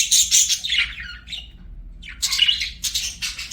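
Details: Pet budgies chirping and singing: a rush of high, bright warbled notes sliding downward, a short pause, then renewed chattering bursts of scratchy, squeaky chirps.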